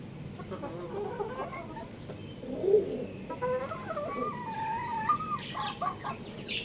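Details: Young rooster eating rice, giving wavering, harmonic chirps that rise and fall in pitch, some drawn into short trills, with soft background hiss.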